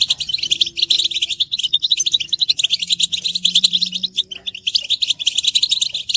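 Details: Group goldfinch twittering, described as the strongest motivation for silent males to sing: an unbroken, busy stream of tinkling chips and fast trills, with a low hum swelling briefly midway.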